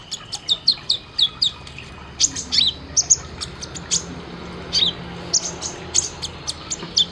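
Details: Olive-backed sunbird training recording of sharp 'tembakan' filler song for caged birds: very high chips and twittered downslurred phrases in short clusters with brief pauses, over a low hum.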